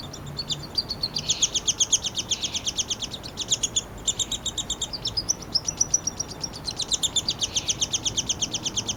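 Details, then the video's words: In a Lethbridge, Alberta yard on July 12, 2026, a downy woodpecker nestling begs as its father feeds it: a steady stream of sharp, high-pitched chips, about four per second, with brief pauses between runs. "Downy Nestling Noise (while being fed by his father-bird)."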